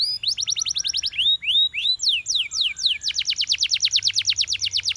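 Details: Belgian canary song meant to set other canaries singing, mixing fast falling trills, short rising whistled notes and a long, dense, rapid trill of repeated sweeps.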